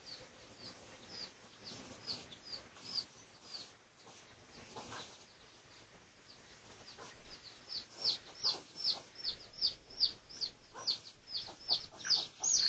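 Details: Research recording of red junglefowl in the Pradu colour variety, 18 August 2023, with scattered high peeps at first, then a louder, regular series of sharp falling notes, about two and a half per second.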